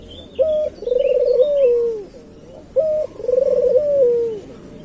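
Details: Two evenly spaced coo phrases from a local island collared dove used for luring its kind. Each opens with a short level note and runs into a vibrating, gently descending coo. Soft high chirps from another bird sound early on.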